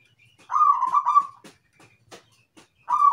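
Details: Zebra dove (perkutut) singing: a rolling, bubbling coo lasting about a second, broken into quick pulses, then a few soft clicks and a second coo phrase beginning at the end.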